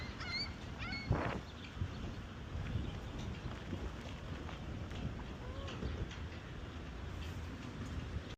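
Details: In Hines, Oregon, by a supercharger, gulls give two brief wavering cries at the start and one soft call later, with a thud and steady vehicle rumble throughout.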